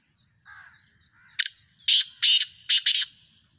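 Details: Kala Tetar, the black francolin, in Sindh, Pakistan: a soft lower note, then a strident call of five harsh grating notes spread over about two seconds, ending in a close pair; no other clear sounds.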